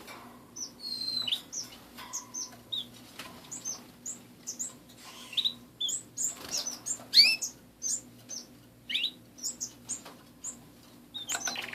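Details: Pet canaries indoors giving scattered short chirps and high notes, with pauses between brief phrases and a faint steady low hum in the background.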